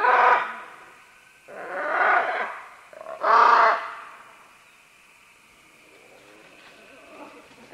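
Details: Green-winged macaws, several of them, descending along vines while calling: three loud, harsh, raspy squawks spaced about a second and a half apart, followed by quieter, softer grating sounds.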